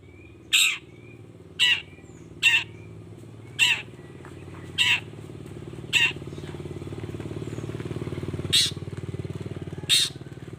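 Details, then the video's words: Long-tailed shrike played to provoke rival shrikes: short, sharp harsh notes at uneven gaps of one to two seconds over steady engine-like rumble. "Cendet Gacor Pagi Siang Sore...Merangsang Emosi Cendet Manapun Agar Cepat Nyaut Emosi Dan Ikut Bunyi"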